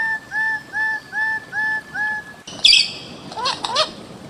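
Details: Bird-of-paradise calling: six clear, short upslurred whistled notes, evenly spaced about every 0.4 seconds, then an abrupt switch to harsher, buzzy, higher notes with two rising squeals near the end.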